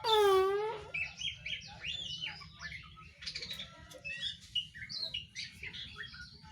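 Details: Young oriental magpie-robin, untrained, making rapid varied chirps and whistled notes after a loud, low, moaning harmonic wail that opens the recording.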